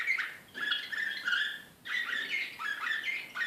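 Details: Excited canary, Srpski slavujar style, recorded in Belgrade in 2014, delivering two bursts of quick warbled chirps and rolling trills separated by brief pauses, with slightly harsh, buzzy notes mixed in.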